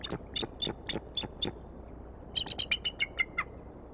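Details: Bald eagle at the Decorah nest on 21 April 2019, late afternoon: two series of high, thin, chirping notes, first about six evenly spaced, then a quicker run of descending piping notes.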